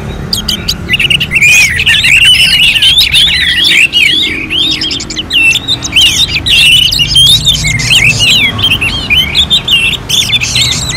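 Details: {'caption': 'Orange-headed thrush song from North Bali, presented as a contest-style simulation: a long, loud, high warbling run of quick twisting whistled notes, nearly continuous, with faint low background rumble.'}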